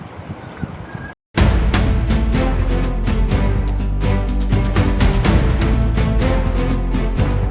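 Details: A brief quiet, muffled passage, then loud dramatic theme music with pounding drums and dense instrumental chords, and no animal calls.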